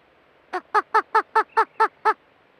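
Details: A roadrunner gives eight hoarse, nasal, chicken-like clucks, about four or five per second, each slightly falling in pitch, against a quiet background. This is a natural roadrunner sound, though the recordist wonders if it picked up an accent from chickens at a nearby home.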